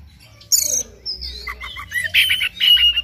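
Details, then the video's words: Oriental magpie-robin in morning song for stimulating birds to sing: a sudden high whistle with a lower sliding note, then buzzy, harsh chattering phrases repeated toward the end. "PANCINGAN KACER PAGI HARI AGAR NGOTOT NGEPLAY BONGKAR ISIAN"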